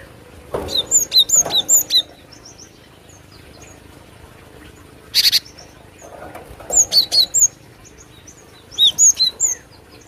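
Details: Glatik batu, the Cinereous tit, on a lure recording, singing steadily; bursts of three to five sharp high whistled notes repeated roughly every two seconds, one short harsh buzz in between, quiet background.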